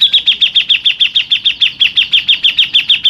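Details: Local Grey-cheeked bulbul giving a long rolling 'ngerol' song with 'tembakan' bursts, recorded as a lure and master song for training contest songbirds. A rapid, even series of sharp high chirps, roughly six per second, holds steady throughout against a quiet background.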